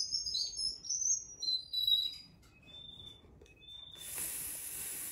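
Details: A 4-month-old canary sings high, bright warbled phrases in its canary room, then sparser thin whistled notes, before a steady hiss takes over near the end. Finding: Canary.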